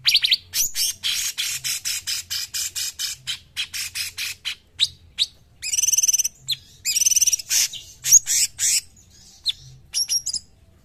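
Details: Cungkok bird delivers a dense, fast run of scratchy high chirps, then trilled buzzy phrases and scattered sharp notes, recorded for training songbirds.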